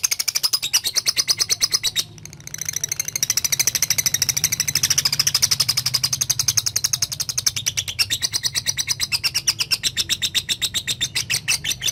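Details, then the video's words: Lovebird calling to a partner and chattering (ngekek), from training audio for young birds: a long, fast, steady rattle of harsh clicking notes, several per second, with a brief break near the start. "LOVE BIRD NGETIK MEMANGGILLAWAN AGAR RAJIN NGEKEK"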